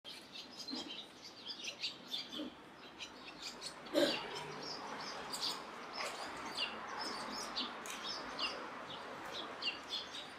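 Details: Barn swallow parents giving alarm calls to warn chicks that a crow is coming, prompting the nestlings to hide deep in the nest; a scatter of short, sharp, high chirps repeated irregularly throughout over a steady background hiss.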